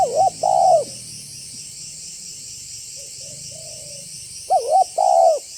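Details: Spotted dove giving a banggo-style call used as a lure to make other doves call and approach: soft, low, hollow coos in a two-part phrase, repeated after a pause of about four seconds, over a steady high hiss.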